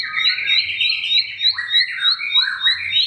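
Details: Bar-winged prinia song used as a lure to get silent birds singing: a fast, steady run of high sharp notes, about three per second, over lower gliding whistled phrases, with a faint low hum beneath.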